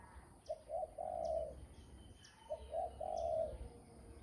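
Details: Spotted dove calling in repeated soft low coo phrases, each two brief hoots followed by a longer rolling coo, given twice about two seconds apart, with faint high chirps from other birds behind.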